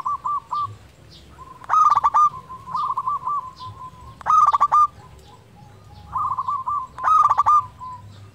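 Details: Local zebra dove singing steadily, a lure recording meant to spur quiet birds into song: soft rolling coos alternate with loud stuttering, rattling phrases, each burst returning roughly every two to three seconds.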